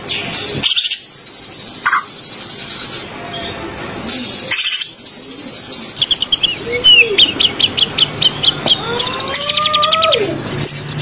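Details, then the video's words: Song of a green leafbird, meant to stimulate a white-rumped shama to sing: high hissing chatter, then rapid clicking pulses and clear rising whistled notes, with mimic-like swoops and fast repeated ticks toward the end. "Cucak Ijo buat Perangsang Kacer Gacor ngerol dan Ngobra"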